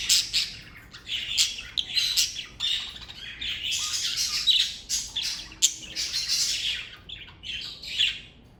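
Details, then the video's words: Pet budgerigars from a parakeet family, kept together as a group, chattering continuously: dense bursts of harsh, buzzy squawks and scratchy warbles in overlapping phrases, with louder peaks roughly every second and brief pauses between phrases. "Birds Chirping Sound Effect!"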